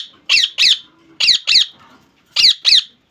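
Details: Pet rose-ringed parakeet giving harsh, grating squawks in pairs, three pairs spaced about a second apart, each note sharp and downward-bending, in a quiet small room.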